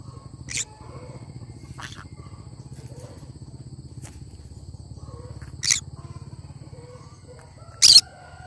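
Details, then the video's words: Cinnamon green-cheeked conure giving scattered harsh, short screeches, softer at first and louder toward the end, against a steady low humming background. "Chinnamon conure sound"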